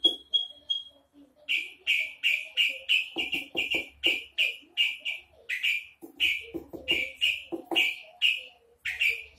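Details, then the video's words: Javan bush lark in hovering song: after a brief thin whistle, a steady run of short rising chirps repeated about twice a second, with faint clicks and a low rumble in the background. "branjangan jawa big bakat hovering"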